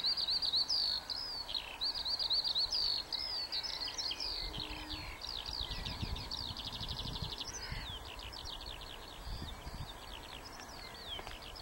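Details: Recorded at Warfield on 1 May 2013, a skylark delivers a sustained, rapid cascade of high twittering notes, shifting into fast repeated chirps midway, with light wind gusts behind.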